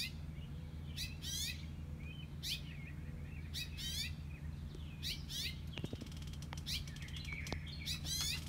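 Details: Male house finch with reddish breast and throat, alarm calling one morning near its nest on a front-porch column as people walk out: bright chirps and trills at irregular intervals over a steady low hum.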